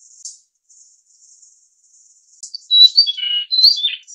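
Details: Grey-cheeked fulvetta (Alcippe morrisonia morrisonia, Taiwan endemic subspecies) call: faint, thin high chips, then a brief burst of loud, slurred whistled notes that wander up and down.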